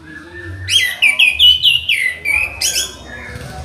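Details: Tutor song of an Orange-headed thrush for bird training: a rapid run of clear, descending whistled notes and buzzy slurs lasting about two seconds, ending in a harsh burst, with steady low hum behind.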